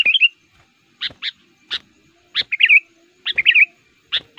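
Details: Sooty-headed bulbul kept as a lure for wild males, giving spaced sharp chirps and short bubbling warbled phrases at irregular intervals, with quiet gaps between.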